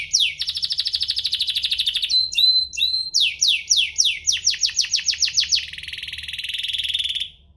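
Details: Domestic canary song used as a prompt for other canaries: opens with a rolling buzzy trill, brief whistles, a run of rapid falling notes, then a long lower rattle that fades out.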